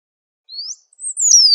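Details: Great pampa finch in the wild, calling and singing often: a thin upward-sliding whistle, a short pause, then a high note that falls in a long smooth glide. The background is quiet.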